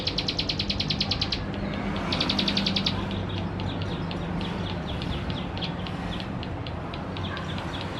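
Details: Male Plain Prinia, West Java, recorded with a Canon camera as a lure to provoke birds: two short bursts of rapid high ticking notes in the first three seconds, then only faint scattered chips against steady low rumble.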